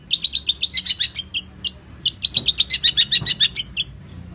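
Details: Long-tailed shrike (cendet) in a champion-bird training recording: rapid series of sharp, high chirps, about four per second, pausing briefly near the middle and then resuming with a slight faint hum beneath.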